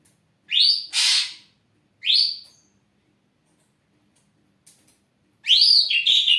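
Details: Ashy drongo, a kept bird, in lively song: sharp upslurred whistles mixed with a harsh, broad rasping burst, then a longer phrase of rising and dipping clear whistles after a short silence.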